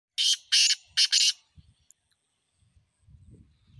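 Black francolin giving a loud, harsh, grating phrase of four rasping notes in just over a second, followed by faint low rumbling noise.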